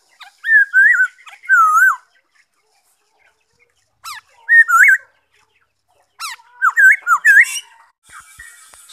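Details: Black-throated laughingthrush song recorded 5 May 2021: loud, rich whistled phrases that wobble up and down, given in three bursts with short pauses, with thin high chips between them.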